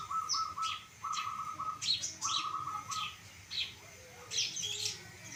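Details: Long-tailed shrike of the pastol type, singing energetically in a recording meant for training other birds: a harsh, level chattering phrase repeated about once a second, broken by short sharp high notes and quick upward flicks.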